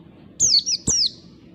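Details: Wild oriental white-eye recorded as a lure for other white-eyes: three thin, high whistled notes, each sliding steeply downward, given in a quick burst against a quiet background.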